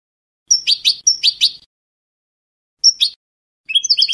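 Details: European goldfinch performing Spanish salon-style song (canto de salón, canto al eco), recorded for training: short bursts of sharp, high twittering notes, a silent pause of over a second, one more burst, then rapid twitters resume. Clean recording.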